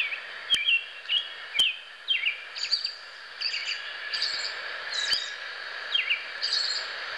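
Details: Baby robin, a nestling, being fed; short bright chirps, each a quick rising-and-falling squeak, repeated about every half second to second against a steady hiss, with a few sharp clicks.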